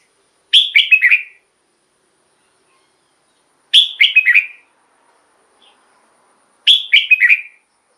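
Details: Red-whiskered bulbul song, played as a decoy or to excite caged birds: three short bright warbled phrases, each a quick run of slurred whistled notes falling slightly, repeated about every three seconds, with quiet between.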